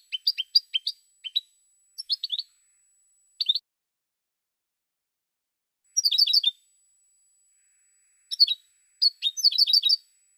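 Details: European goldfinch song in short bursts of bright, high twittering notes separated by silent gaps, with quick rising and falling chirps and a denser jingling run near the end; no other sounds.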